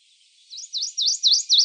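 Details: Prothonotary Warbler from the eastern United States singing five identical clear sweet upslurred notes in quick even succession, each louder than the one before.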